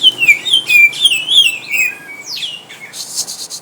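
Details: Greater green leafbird kept at home, challenged by a rival to test its nerve, gives a string of clear descending whistles and a long falling slur, ending in a burst of hiss.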